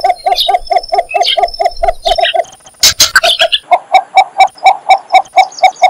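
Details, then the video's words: Cinnamon bittern call, a steady string of short, low clucks about two per second, interrupted by a loud rustling burst near three seconds; higher bird twitters mixed in. "Cinnamon bittern calling"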